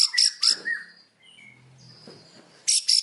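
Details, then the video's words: White-rumped shama in the afternoon giving sharp, high buzzy bursts in quick pairs, a thin whistle in the middle, then more loud scratchy notes. "KICAUAN MURAI BATU SORE HARI BONGKAR ISIAN KERAS"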